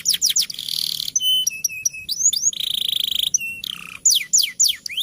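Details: Tutor song of a champion canary in rolling fighter style: quick falling whistles, a buzzy roll, clipped flat tones, a long pulsing trill, a low swooping note, then more rapid downslurred chirps.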